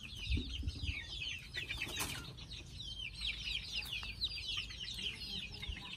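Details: Group of chicken chicks preparing for sleep; steady overlapping high peeps that slide downward, crowded and restless, broken by a sharp click near two seconds and low handling noise at the start.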